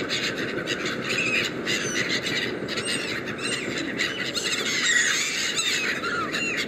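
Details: A crowd of hungry black-headed gulls feeding on Westminster Embankment by the River Thames in London gives harsh, squealing calls that overlap continuously, over a steady hum of city noise.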